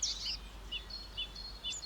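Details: Eurasian blue tit in spring in Munich's Herzogpark, Bavaria, during breeding-bird monitoring: thin, very high tsee notes and short lower chirps over under two seconds, faint park background noise; great tit and nuthatch also noted nearby.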